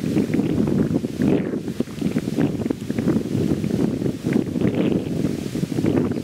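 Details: Strong, gusting wind buffets the microphone throughout, a dense low roar with no distinct animal calls.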